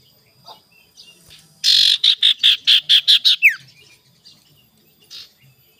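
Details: Ashy tailorbird (sirtu) song, a morning lure recording meant to provoke rivals: one buzzy burst, then a run of about seven short, loud, high notes at an even quick pace, ending in a falling slur; quiet background.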